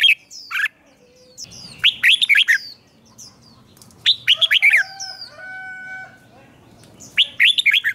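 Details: A red-whiskered bulbul being trained to sing in the morning utters three clusters of lively, warbling whistled notes. A steady thin tone sounds between the second and third clusters.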